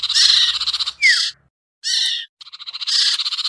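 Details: Lure sound of the sirtu bird: a harsh buzzing chatter, a short falling whistle, a pause, another rasping burst, then a stuttering pulsed run building into a buzzy rattle.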